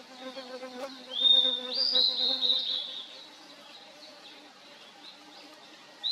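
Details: A Blue-and-white flycatcher (Cyanoptila cyanomelana) sings in a valley in 2023: one short phrase of high, clear whistles sliding into rougher notes, over a low steady hum at the start.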